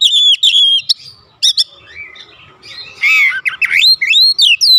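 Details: Full-voiced magpie-robin song in 'ngeplong gacor' style used to stir birds at home: a long level whistle, quiet spell, then strong buzzy warble and a string of loud rising and falling whistled notes.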